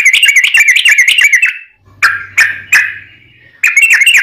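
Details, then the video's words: Fast, continuous Sooty-headed bulbul song with Straw-headed bulbul variations, used to train caged birds and lure wild bulbuls: quick rising chirps, then three spaced notes over a faint low hum, then chirping resumes. "Kicau Trucuk T-rex Speed Rapat Tanpa jeda Losss variasi Cucak Rowo"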